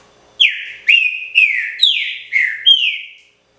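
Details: A green-winged saltator, locally trinca-ferro, sings a pixarro-style phrase of six clear, ringing whistles, each sliding down in pitch, spaced about half a second apart in a clean quiet setting.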